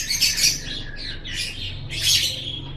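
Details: Lovebird in a training recording for pet birds, giving harsh, shrill chattering bursts: a dense squeaky phrase, a brief pause, then another rasping burst near the end over a low steady hum.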